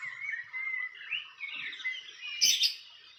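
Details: Wild fantail at its nest: thin whistled chirps and short sliding notes in the middle-high range, run together with a brief burst of sharp higher twitters near the end.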